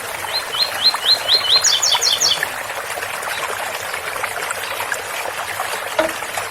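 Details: Ouro Fino tui-tui song of a double-collared seedeater: six rising whistled notes give way to a quicker, higher run of doubled notes, then quiet trickling water from a spout and a single low note near the end.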